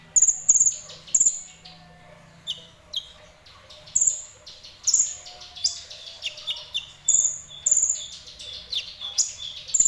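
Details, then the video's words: Sunbird known locally as kolibri ninja, singing fairly actively: a run of very high, thin chirps and sharp tweets, often paired or in short bursts, with brief pauses between phrases. "Burung Kolibri Ninja Semi Gacor"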